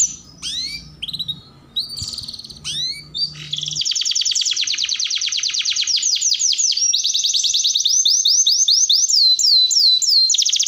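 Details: Vigorous canary tutor song, a lure for other canaries: scattered rising and falling whistled sweeps, then a long rapid rattling trill that shifts into slower, clearer repeated downslurred notes near the end.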